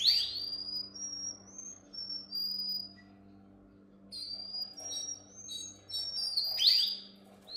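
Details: Canary training song. Sliding whistled notes, some swooping upward, come in short bursts separated by brief pauses, with a loud rising sweep near the end.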